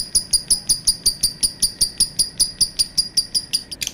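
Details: Lovebird giving a long call: sharp, high chirps repeated rapidly and evenly, close to three per second, with a brief burst of harsher notes at the end.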